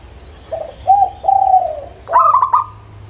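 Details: Local zebra dove phrase: a soft coo, two longer coos gliding gently downward, then a rapid rattle of bright clipped notes. A low hum persists.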